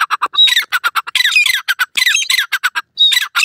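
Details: Francolin, called teetar, giving a loud, harsh, squawky series of rapid chattering notes, closely spaced and irregular, with brief pauses and a thin whistled note near the start and end.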